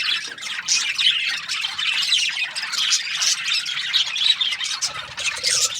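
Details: Budgerigars, described as Australian budgies, chatter steadily in a group; rapid high chirps and squeaky warbling notes pile over one another, with a brief low murmur near the end.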